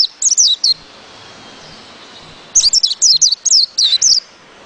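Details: White-eye in two bursts of rapid, high, squeaky descending notes, a short phrase first and a longer one after a pause of nearly two seconds.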